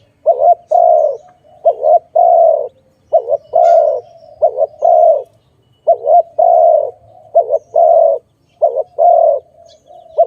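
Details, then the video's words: Dove cooing steadily over about ten seconds in a bird-trapping setting. A quick two-part note leads into a long, even, low coo, and the phrase repeats about seven times with short gaps. Soft low rumbling sits underneath. "Sound of good dove"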